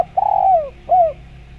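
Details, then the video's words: Two coos from a spotted dove used to make other doves answer: a long level coo that slides downward at the finish, then a shorter arched coo. "Bikin Derkuku Nyaut Bunyi"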